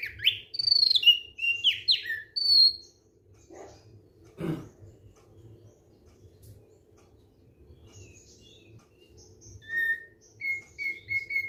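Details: Thick-billed white-eye singing at ease: a burst of quick sliding whistles, then a pause with a couple of knocks, then soft high notes and a run of level whistled notes near the end.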